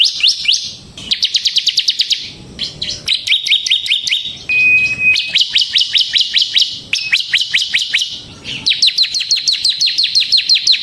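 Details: Semi-gacor ciblek, the bar-winged prinia, in continuous ngebren singing as a lure and tutor for pet songbirds: bursts of rapid, metallic high notes, some downslurred, with one thin steady whistle between phrases.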